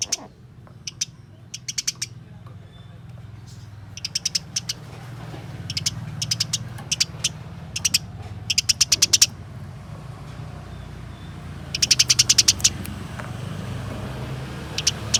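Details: House sparrow fighting call, played to get caged sparrows singing: short scattered bursts of rapid, high, scratchy chirps with gaps of silence between them, over a steady low hum.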